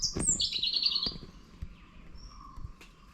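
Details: Shy Indian blue robin calling from undergrowth in a garden at Nandi Hills near Bangalore, about 1,400 m above sea level: a high, thin burst of notes sliding downward over about a second, then fading into quiet.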